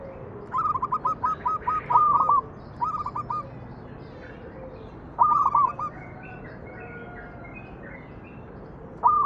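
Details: Manggung song of a zebra dove used to coax other doves: a long opening string of quick stuttered coos, then shorter phrases of rolling notes spaced a few seconds apart.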